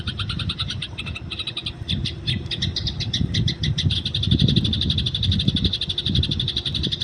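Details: Wild Eurasian tree sparrow linked to fighting: continuous fast chattering of short chirps at about four per second, uneven at first and then steady, over a loud low rumble.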